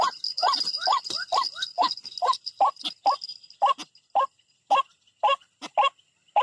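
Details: White-breasted waterhen attacking a rival, linked to bird trapping: a hoarse croaking note repeated about twice a second, each note dropping slightly in pitch. A steady high buzzing drone fills the background during the first half.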